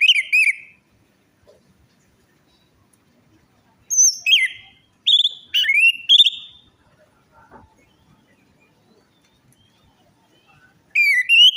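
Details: Orange-headed thrush song used to entice a non-singing or stressed bird: varied melodious whistled phrases, some rising and some sliding, delivered in separate bursts with quiet gaps.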